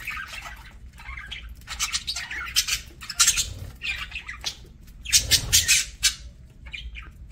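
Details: Pet parakeets at mealtime give bursts of harsh, scratchy squawks and chirps, clustered in uneven groups with short pauses, loudest near the five-second mark, over a low steady background hum.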